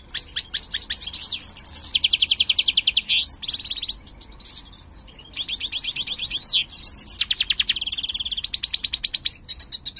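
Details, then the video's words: A colour-mutant European goldfinch, said to sing poorly, sings a fast, tinkling song of liquid twitters and rapid buzzy trills, bright and high, with a brief pause midway. "jilguero mutado cantando"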